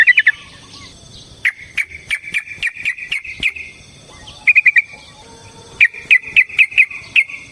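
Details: Yellow-vented bulbul fighting song used as a lure: spaced, sharp, bubbly notes in short series, with a quick triple burst midway and another quick run near the end, against a quiet background with faint clicks.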